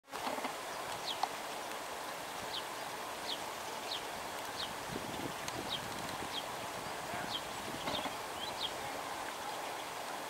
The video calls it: Pied wagtail